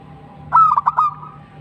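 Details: Local zebra dove, actively singing in tumbak cucukan style: a single short phrase of a whistled note and three or four fast staccato coo notes over a low hum.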